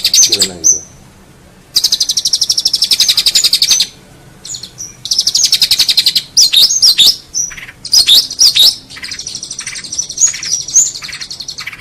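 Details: Master song of a long-tailed shrike for tutoring songbirds: long buzzy rattling trills that alternate with clear whistles and short chips.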